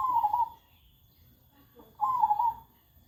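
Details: Unafraid zebra dove that coos all day: two brief trilled coos spaced about two seconds apart, each wavering and dropping slightly.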